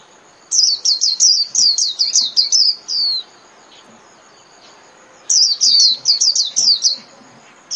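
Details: Japanese white-eye, song meant for training caged birds each day: two bursts of quick, high chirps in rapid succession, the first about two and a half seconds long ending in a slurred note, then a shorter second run.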